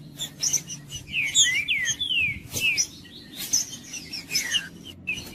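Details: Green-winged saltator singing to warm up a cold bird: a cluster of loud, looping whistled notes, with fainter slurred whistles and clicks before and after.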